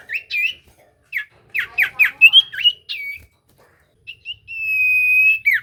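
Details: Common iora lure song meant to make other ioras answer: bright whistled notes, clear sweeping and slurred phrases in quick bursts, then a long steady high whistle ending in a falling slur.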